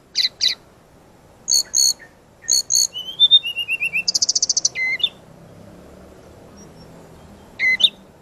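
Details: Brown-chested jungle flycatcher master song for training: short sharp buzzy bursts, a rapid stuttering trill, clear whistled notes and a fast ticking series, with long quiet gaps between phrases.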